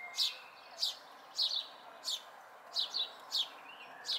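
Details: Young house sparrows, fledglings at a local site in May 2020, repeat high, slightly falling chirps roughly every half second, occasionally paired in quick doubles, with a soft steady hum beneath.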